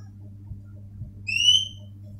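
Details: A captive Oriental magpie-robin gives one clear, slightly rising whistled note lasting under a second, over a steady low indoor hum.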